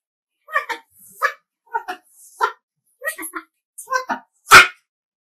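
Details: Umbrella cockatoo, angry, gives about six short, hoarse, speech-like bursts (sounds like saying "W.T.F"), then ends with one loud, harsh screech.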